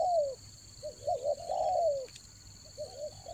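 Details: Spotted dove lure call of the raja angguk style, used in Toba to draw wild doves in the rainy season: low mellow coos, a short double coo then a long falling note, over a steady high whine.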